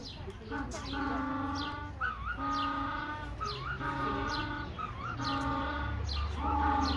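African penguin giving loud, harsh, donkey-like braying honks, each phrase lasting about a second and repeated in a steady series, over a low background rumble.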